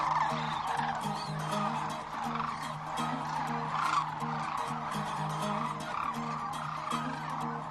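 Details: A dense chorus of many Sandhill Cranes gathered in vast numbers in Central Nebraska, heard from a viewing blind, overlapping rolling, rattling calls with no gaps, over a low steady musical drone.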